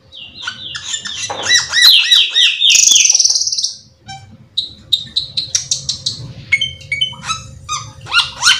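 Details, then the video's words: Cucak keling singing nonstop with full fill phrases to entice other cucak keling into song: a rapid warbling run of looping notes, a buzzy rasp, then many short bright chips and whistles in fast succession. "pancingan cucak Keling gacor teler Full isian"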